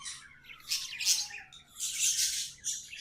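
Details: Pet budgies in song: loud bursts of hissy, buzzy high chatter, two main phrases, with a thin whistle sliding slowly downward underneath.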